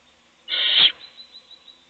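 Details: A single rasping, breathy hiss, under half a second long, from an owl nest box where an adult feeds a chick as its nestmates sleep.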